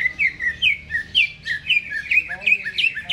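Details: Greater green leafbird kept in a cage, singing before it is hung up, gives lively looping whistles that rise and drop in quick alternating phrases, each note bright and clean, about three per second.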